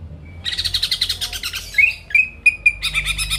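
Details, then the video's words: Greater green leafbird song used to provoke rival birds into singing: a rapid run of rich rattling notes, then clear whistled slurs near one pitch, then another fast rattling burst. "PANCINGAN CUCAK IJO GACOR BUKA PARUH BIKIN LAWAN CEPAT ON LANGSUNG EMOSI DENGAR SUARA INI"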